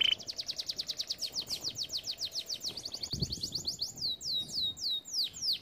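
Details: Canary song for training young canaries: a fast rolling rattle of high notes about four per second, slowing into separate curved whistles that fall in pitch, clear and loud over a quiet background.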